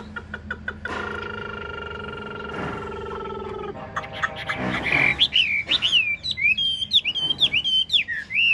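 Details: Sustained steady tones and music open the recording, then a caged, large-bodied 'ngũ trường' Chinese hwamei, nodding and lion-dancing, breaks into rapid, looping whistled notes rising and falling.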